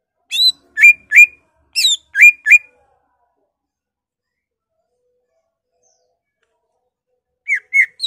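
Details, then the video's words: Cucak ijo, the greater green leafbird, in full excited song with borrowed phrases of murai, poksay, cililin, kapas tembak and kenari: a burst of six sharp whistled slurs, a long silent gap, then three more brisk notes. "BURUNG CUCAK IJO GACOR EMOSI NGENTROK BONGKAR ISIAN , Murai, Poksay, Cililin, Kapas tembak, Kenari"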